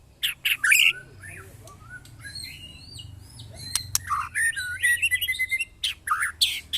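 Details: White-rumped shama in a mental test against neighbours' birds. Loud chattering bursts, a softer stretch of whistles over low background hum, then a rapid flourish of varied whistles.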